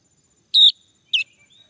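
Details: A male Orange-headed Thrush, used as a lure to prompt others to sing, gives two clear, high whistled notes about half a second apart, the second sharper and slightly lower, with faint insect hiss behind.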